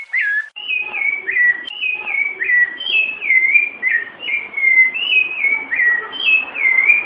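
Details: Rufous-bellied thrush (Turdus rufiventris) singing the "Piedade" song, played to train young birds: an unbroken run of clear, fluty whistled phrases, each slurring downward, about two per second, with no other sounds.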